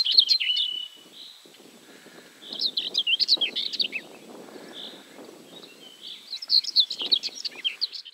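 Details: Ortolan bunting recorded 3 June 2017 at Julków, Poland (51.879781, 20.112418), giving three bursts of high, quick twittering notes a few seconds apart, over a soft background rustle.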